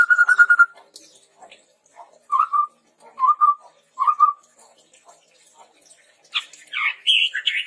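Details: Chestnut-rumped babbler song used as a lure for training birds. It opens with a pulsed trill, continues with three low whistled notes at even intervals, and finishes with harsh rising and falling phrases.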